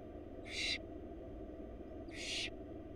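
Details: A pair of rough, breathy screeches roughly 1.5 seconds apart from wild barn owl chicks fed by their mother in a Florida nest box, set against a steady low hum.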